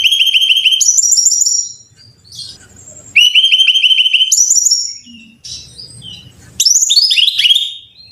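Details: Three energetic phrases from a brown-chested jungle flycatcher, meant for training caged birds: each a rapid stutter of identical notes leaping to a higher trill, then falling sweeping notes, with quiet pauses between.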